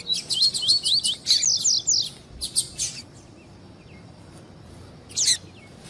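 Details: Double-collared seedeater in tui-tui warm-up style for tournaments: a run of high slurred whistles and buzzy notes lasting about three seconds, then quiet, then one short harsh burst.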